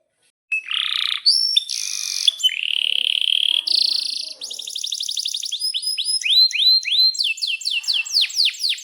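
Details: Canary singing energetically with long rolls, a tutor song for young canaries: buzzy sustained tones and bright whistles, then a rapid rattling trill, followed by crisp repeated downslurred 'cuit' notes.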